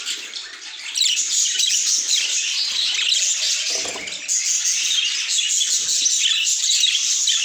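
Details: Pet budgerigar chirps, starting softer, then swelling into a loud, dense chorus of rapid high twitters and scratchy warbles that never pauses.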